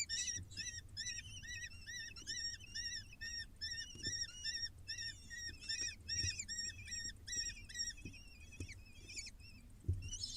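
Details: Six falcon nestlings begging as food arrives on a live wildlife cam: rapid, rhythmic, arched rasping cries, about two or three a second, repeated without pause over a low background hum and faint taps.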